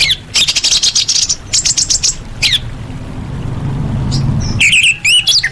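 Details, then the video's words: Masteran recording for orange-headed thrush: rapid rattling bursts of high, buzzy notes in several short runs, a quiet gap, then a final burst of quick slurred whistles, low hum behind. "Masteran ANIS MERAH"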